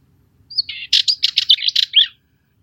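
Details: Cyprus Warbler, a Curruca warbler breeding only on Cyprus, delivering a scratchy, chattering burst of rapid harsh notes with a thin introductory whistle and a falling squeaky finish.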